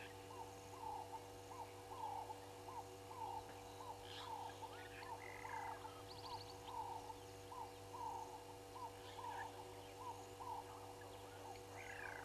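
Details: Ring-necked doves perched on a fallen tree at Gowrie dam waterhole, Djuma Game Reserve, Sabi Sand, South Africa, at 15:02 on 08/02/2022. They give mellow, rolling cooing notes repeated nearly every second, over soft chirps from other birds and a steady low hum.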